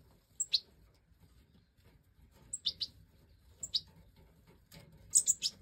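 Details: European goldfinch chicks (captive Major form, bred 2024) that have jumped from the nest, fed by their mother. High, slightly descending chirps in pairs, repeated roughly each second, ending in a quick cluster.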